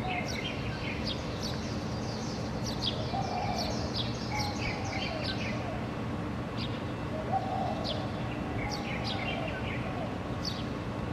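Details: Birds in morning song, recorded with a compact camera: scattered short high chirps and twitters throughout, with a few lower murmuring phrases and steady low background hum.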